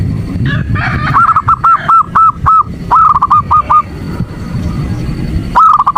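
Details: Female zebra dove calling to the male: two runs of rapid short hooked notes, then a quiet stretch of low background noise before a final burst.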